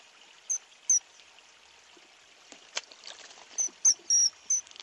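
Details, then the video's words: Common kingfisher in forest, Tadoba National Park: six shrill, very high, piercing whistled calls in two bursts, one slightly drawn out, over the soft trickle of running water. "Common Kingfisher Call Sound..| Little Kingfisher Sound."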